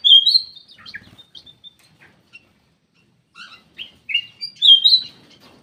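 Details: Loud, clear whistled notes from a black-crested bulbul used as a lure call, with a strong opening phrase, soft chirps, a pause of about a second, then a louder burst of slurred whistles.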